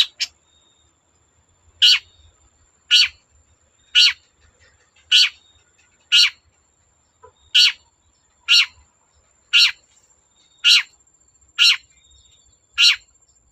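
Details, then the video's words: Long-tailed shrike giving harsh single notes about once a second, twelve in all, meant to stir other shrikes into song. "Burung cendet gacor Bikin cendet bahan terpancing ikut gacor"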